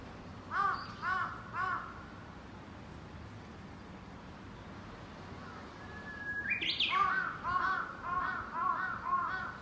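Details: Crow, said to be jealous of a bush warbler's song amid cherry blossoms, caws three times, falls quiet while the warbler whistles a long note and rising flourish, then breaks into a rapid run of repeated hoarse caws.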